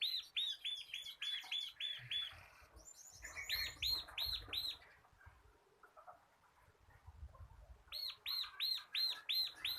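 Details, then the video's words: Caged bar-winged prinia of the local crystal kapas kind, a tutor for cage birds, delivers long fast runs of bright arched high notes, pauses for a few quiet seconds with low rumbling, then resumes the rapid series. "BURUNG MASTERAN CIBLEK KRISTAL GACOR / CIBLEK LOKAL KAPAS SUARA NGEBREN"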